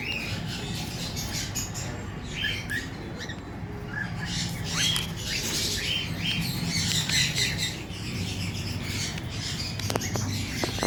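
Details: A white cockatiel gives harsh, scratchy squawks in quick, uneven bursts over a low background rumble.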